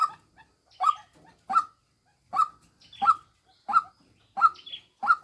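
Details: Female white-breasted waterhen lure call with eight loud, raspy croaks, a short pause in the middle, and faint high chirps from other birds behind.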